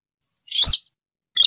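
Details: Sintar rail, also called burung tikusan, recorded as a trapping lure: one sharp, harsh, noisy chirp followed by a shorter, fainter clipped note, both high-pitched with silence between.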